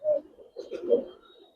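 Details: A loud opening coo from a Budapest highflyer pigeon in a loft, followed by softer rumbling coos that trail away.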